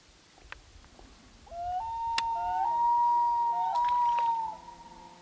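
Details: A wailing loon on Gavia Lake in 2011, its pure tone rising and then sustained for nearly three seconds, with a sharp click partway through and a calm, still setting.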